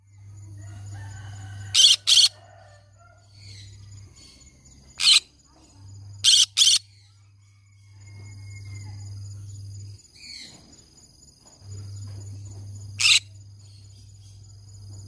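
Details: Green-cheeked conure parrot vocalising: six harsh, broadband screeches scattered across fifteen seconds, some in close pairs, with a steady low electrical hum and faint high tones in the background.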